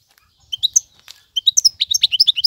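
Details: Male European goldfinch singing to tutor young birds; short bursts of bright, high twittered notes rising and falling, a pause, then a quicker run of chirps and buzzy flourishes.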